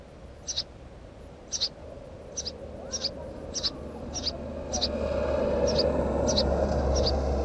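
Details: House sparrow filmed near a nest: short, high chirps repeated about every second, eight or nine in a row, over a steady low hum and background noise that grows louder toward the end.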